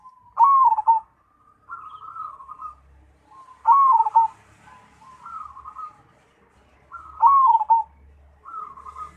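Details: An actively singing Cemani zebra dove repeats its phrase roughly every three seconds: a loud, bubbling coo sliding downward, then a quieter level rolling trill, with a faint low hum behind.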